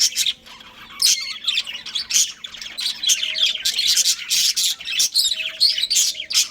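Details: Budgerigar breeding pair kept indoors as pets, a quiet opening then bursts of rough chattering and squawky chirps, with occasional brief tonal notes.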